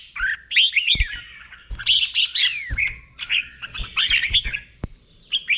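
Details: Red-whiskered bulbul from Thailand singing the doubled 'beun' song style, slow and clear, used to teach caged birds to copy: busy bursts of warbled, bubbling whistled phrases with sharp clicks between.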